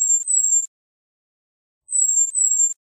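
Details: Bohemian waxwing giving two paired phrases, each a high, thin, slightly falling whistled trill in two parts, separated by over a second of quiet.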